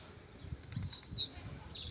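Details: Blue-black grassquit, a brownish 'pardinho' bird putting on a show: a single loud, buzzy, high note that sweeps up and then down. It is preceded by faint, rapid ticking chips and followed by a short, soft buzz.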